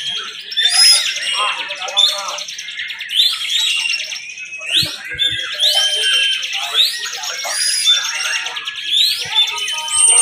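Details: Prinias competing at a bird-song contest, holding the 'bren' style: nonstop shrill chatter with repeated rising slurred whistles, several singers overlapping throughout.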